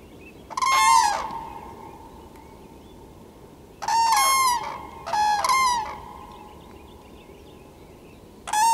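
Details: Common cranes give loud, resonant bugling calls: one early blast, then a pair of trumpeting notes close together midway, and a final call cut off at the end, set against quiet background hiss.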